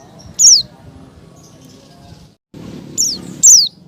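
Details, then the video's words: Female Oriental white-eye calling to the male: a single high descending note, a pause, then two more in quick succession, over soft background hum. "SUARA CALL PLECI BETINA MEMANGGIL JANTAN"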